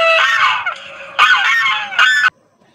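A swan gives three loud, nasal, brassy honks over about two seconds, the first drawn out and the last short and abrupt, then silence.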